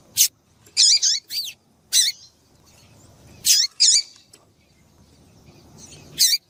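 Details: Female double-collared seedeater calls played to excite males: high, slurred chirps with hooked tails, a burst of four early, a pair midway and one at the end, about twenty-two per minute, irregular.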